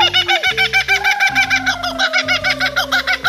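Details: Laughing kookaburra (Dacelo novaeguineae) gives its rapid, cackling laugh of harsh chuckles over soft background music.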